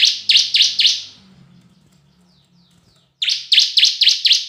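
Bar-winged prinia singing a fast series of loud, sharp, high chipping notes, about four a second, in two bursts split by a short pause.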